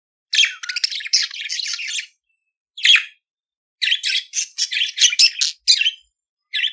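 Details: Continuous scratchy budgerigar warble in long rapid runs of clicks and chatter, broken by one brief pause and a short squeaky note.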